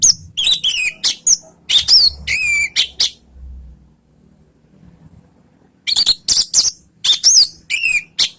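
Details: Orange-headed thrush (anis merah) singing a ngeriwik lure song to provoke answers from other birds: quick series of high, sharp whistled and scratchy notes, a near-silent stretch of about three seconds, then another lively burst.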